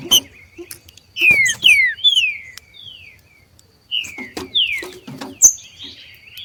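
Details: Green-winged saltators, two rival males in nature: strong falling whistled notes delivered in two runs separated by a short quiet gap, with thin high chips mixed in.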